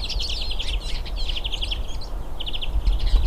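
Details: Wild hooded siskins, several together, singing: short bursts of rapid, evenly repeated chirps in quick series, with brief pauses between phrases and low background rumble.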